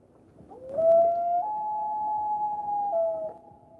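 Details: Common Loon wail, a call used in interactions among loons, often to regain contact with a mate or another loon on the lake, often heard at night: a long, pure, mournful note sliding up, holding, then stepping down, about three seconds.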